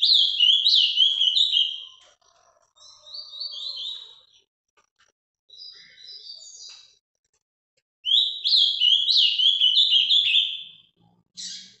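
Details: Song of an azulão, the ultramarine grosbeak, Paraná style: two bright, fast warbled phrases of sliding whistles, the first at the start and the second after a pause at eight seconds, with quieter notes between.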